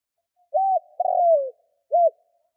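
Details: Captive spotted dove used as a lure for wild doves, delivering one clear phrase: a level coo, a longer downward-gliding coo, and a short arched closing note, in a silent setting.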